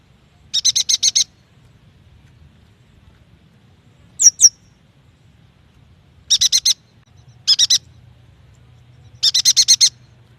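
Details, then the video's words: Yuhina song used as a lure for young, untrained or silent birds: repeated bursts of rapid high chattering chips, with a pair of thin downslurred whistles between, phrases spaced a few seconds apart over faint low hum. "AMPUH untuk memancing bunyi burung yuhina bakalan, muda dan malas bunyi"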